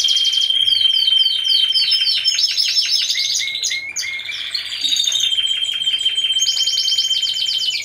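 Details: Team of four Timbrado Español canaries at a November 2015 song show: a thin, steady high tone runs under fast falling trill phrases, with a short pause of quieter notes before the rapid rolls resume.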